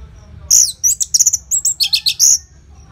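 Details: Loud, rapid orange-headed thrush song used as a prompt for other birds: a dense string of sharp, very high chirps and twitters, about a dozen notes in two seconds.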